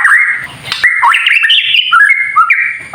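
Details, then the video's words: Kretekan-style white-rumped shama song meant to stir other shamas into singing: loud, clear whistled phrases, level and slurred notes rising and falling in quick succession, with a faint steady high hiss throughout. "KRETEKAN murai batu TERBAIK UNTUK MEMANCING EMOSI agar burung murai menjadi GACOR"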